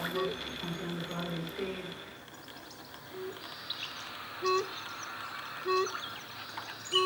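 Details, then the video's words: A brush bronzewing gives short, low hooted notes spaced about every one and a half seconds, after a person speaks briefly; faint chirps of other birds sound behind. "Brush Bronzewing"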